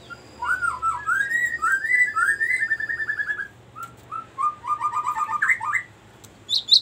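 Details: Long rolling ngerol song of a cinereous tit, used as a lure and as tutor song for birds: low, fast trilled whistled phrases, slurred and wavering, then a pause and a second trilled burst ending in high chirps.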